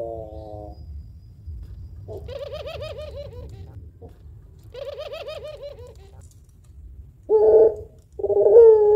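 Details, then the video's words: Puter pelung dove valued for long, thick-ended cooing: two soft rolling, purring coo phrases with quavering tones, followed by two short loud hoarse notes near the end. "Burung Puter Pelung Gacor Suara Panjang Kuwok Tebal Cocok Buat Pancingan"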